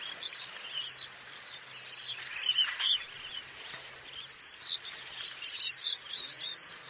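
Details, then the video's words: Common swifts giving scattered high, shrill scream bursts, some louder and nearer, others faint, over constant background noise. "Стриж. Обыкновенные стрижи. Голоса птиц"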